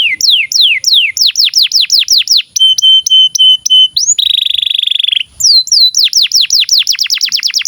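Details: Steadily singing canary, used as tutor song for young birds and silent canaries. Quick falling whistled sweeps lead into a short run of flat repeated notes, then a long buzzy trill, then more rapid descending sweeps.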